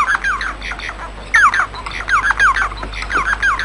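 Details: Bengalese finch song: rapid chattering phrases of short buzzy notes and descending slurred whistles, repeated in quick bursts with a faint steady hum behind.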